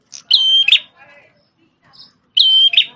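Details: Red-headed prenjak tamu prinia, an energetic singer formerly used as a shama tutor: two phrases of a clear held whistle capped by a sharp buzzy note, with faint chirps in the gap.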